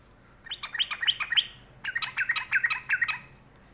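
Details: Sooty-headed bulbul, described as sulking, giving two bursts of rapid chattering notes, each a run of short clipped chirps repeated quickly, separated by a brief pause.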